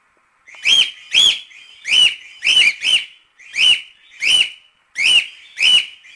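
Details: Cockatiel calls meant to teach cockatiels to sing: loud, clear, arched whistled calls with bright overtones, repeated about ten times at roughly half-second intervals, some in quick pairs, on a quiet background.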